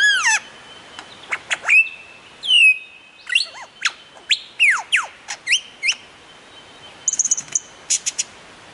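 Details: Australian lyrebird, a mimic of sounds, recorded in the wild. Fast series of sharp downward-sweeping chirps and clicks, plus a sustained steady whistle, then rapid buzzy high notes near the end.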